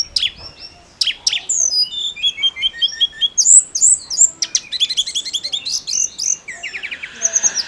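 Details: Persistent song of a snowy-browed flycatcher, used to excite other songbirds: sharp high chips, then quick series of whistled slurred notes and dense tinkling trills, rising and falling, near-continuous.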